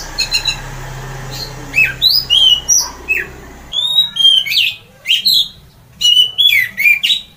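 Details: Orange-headed thrush singing hard in the 'ngeplong' style that excites other birds to sing: loud, varied whistled phrases with fast slurs and short buzzy notes, coming in bursts with brief gaps, over a faint low hum early on.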